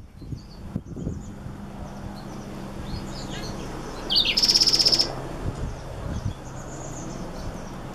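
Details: Black-throated x Reichenow's seedeater hybrid sings scattered faint high notes, then a short, loud, fast buzzy trill of rapidly repeated high notes lasting under a second, against low background noise.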